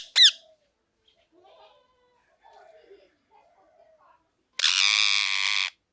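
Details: One brief, high squawk from a parrot opens, followed by several seconds of faint soft murmuring, then a long harsh rasping screech of about one second.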